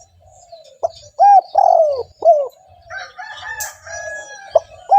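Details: Spotted dove used as a lure for other doves: a few rich, falling coo notes, followed by a fainter, flatter drawn-out sound and a final short coo.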